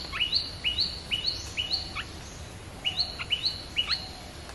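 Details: Red-whiskered bulbul sound used to lure wild birds: a series of bright rising chirps with hooked endings, given in two runs separated by a short pause, over steady low background noise.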